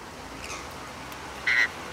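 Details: Rainbow lorikeet in an Australian backyard giving a single abrupt, harsh, buzzy screech of about a fifth of a second against a soft, steady background hiss.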